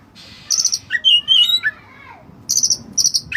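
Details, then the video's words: Oriental magpie-robin (white-breasted kacer) singing vigorously, a training recording of song filled with cililin phrases: high clicky trills, then a clear whistled phrase sliding down, followed by rapid buzzy ticking bursts. "Burung Kacer Gacor Isian Cililin"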